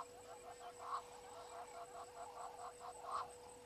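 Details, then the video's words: At Gowrie dam on Djuma Game Reserve, Sabi Sand, South Africa, a Natal spurfowl calls at 18:08 on 12/04/21: a steady run of rough, grating notes about four per second, with two louder peaks, over faint background hum. "Natal Spurfowl"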